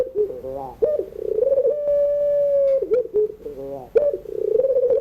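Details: Barbary dove of the long-cooing pelung type, in an evening crying-style song used for tutoring young birds. Stuttering rolled coos lead into a long, steady, level coo, then more rolling notes, all low-pitched and clear indoors.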